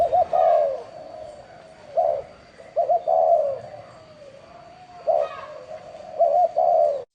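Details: Spotted dove of the bronze-bell (chuông đồng) singing style, used to stir up males and females: low hooting coos in short clustered phrases, grouped bursts around one, three, five and six seconds, with a faint steady high tone throughout.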